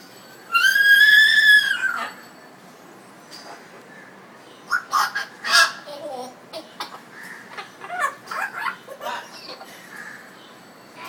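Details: African grey parrot in Dhaka, Bangladesh, vocalising after a bath: a long, loud, rising-then-falling harmonic whistle, followed by a run of quieter short speech-like syllables in irregular bursts.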